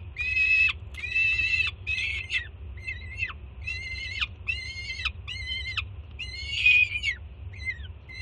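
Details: Juvenile peregrine falcon at a Jersey City nest site screaming loudly in excitement as its mother arrives with breakfast in June; harsh, harmonic screams about half a second long, repeated almost continuously, each ending in a downward slur, over low steady hum.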